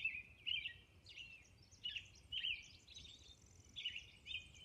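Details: A robin's dawn song from Orcas Island: a chain of clear whistled phrases, some dropping in pitch, with a brief high rattling trill near the end and quiet surroundings.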